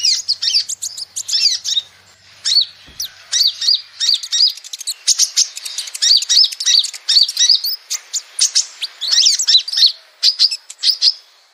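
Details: Kolibri ninja (konin), the brown-throated sunbird, calling as a lure: rapid strings of thin, high twittering chirps with short gaps between bursts, plus a brief low thump early on.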